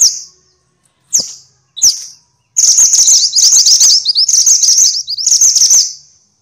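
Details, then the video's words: Several sharp, high single notes from minivets (mantenan, sepah) lead into a long, dense stretch of shrill, buzzy, chattering calls. The recording is a noisy compilation meant to train songbirds. "kumpulan suara burung mantenan (sepah) ribut!!"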